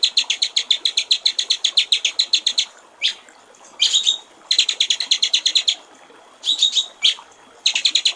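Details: White-rumped shama master song in the clear trickling-water 'gericik air' style: a long rapid rattle of repeated high notes, a pause with a faint whistle, then more fast chattering bursts.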